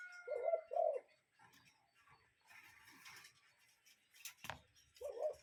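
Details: Cuckoo in nature giving one clear two-note hollow call, then quiet rustling and a sharp click before a single further note near the end.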